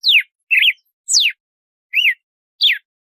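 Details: Red-cowled cardinal song in the 'de açoite' style: five crisp whistled notes about half a second apart, two sweeping steeply downward, two short arched slurs and a final falling note, heard cleanly alone.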